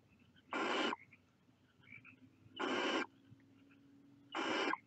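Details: Nestling barn owls hiss three times, giving harsh, noisy, wheezing bursts about two seconds apart against a low, steady background hum.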